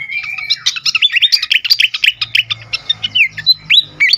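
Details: Fantail in an agitated state, sound used to lure and stimulate birds: dense rapid chatter of chirps giving way to repeated sweeping whistled notes, rising and falling, at a steady pace.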